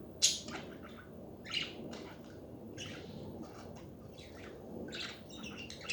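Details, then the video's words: Budgerigars in steady chatter, scratchy warbled chirps and squawks coming in irregular clusters about once every second or so, a few sharper calls among them, with a faint low background drone. "Hours of chatting budgies to relax study and chill HD budgie birds"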